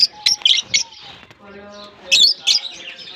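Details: Lovebirds released into a colony in Germany as the summer season begins, interacting with each other; sharp high-pitched chirps in short bursts at the start and end, with a quieter stretch of low steady tones between.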